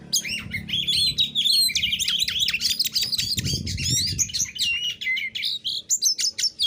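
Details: Oriental magpie-robin pouring out an aggressive challenge song aimed at making rival birds respond: a nonstop torrent of high whistles, rasping chirps and bright sweeping notes, with a brief low rumble midway.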